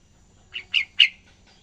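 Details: Single short phrase from a young yellow-vented bulbul learning ngacor: three chirped notes rising in loudness, the final one slurring downward.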